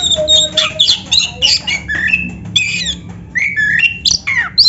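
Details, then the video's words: Kacer, the oriental magpie-robin with a black breast, sings a varied training song for hobbyists' caged birds: dense, rapid whistled phrases, harsh notes and sliding tones shifting between high and middle pitches. "SUARA BURUNG KACER MASTERAN"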